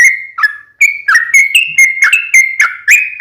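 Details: Lure song of a sooty-headed bulbul meant to trigger replies: a fast run of short whistled notes with sharp clicks, steady and loud after a short opening gap.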